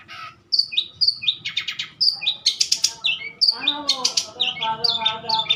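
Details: Mature long-tailed shrike singing energetically: short whistled slurs alternate with dry buzzy bursts, a varied run of mimicking notes with faint low background noise.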